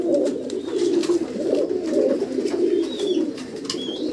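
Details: Low, rumbling, continuous cooing from black mukhi pigeons indoors, a dense chorus of soft throaty notes, with occasional faint high twitters from other birds.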